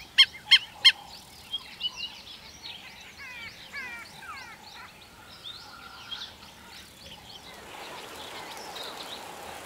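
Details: An African wattled lapwing in Kruger National Park, South Africa, gives three loud, sharp, ringing calls in quick succession, a repetitive call used for territory, mate attraction or warning; then a busy mix of other birds' chirps and whistles, then steady hiss.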